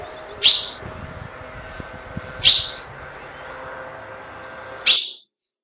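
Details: Female ultramarine grosbeak call, used to excite males: three short, sharp, high chirps spaced about two seconds apart, each a brief bright burst, over a faint steady hum in the background.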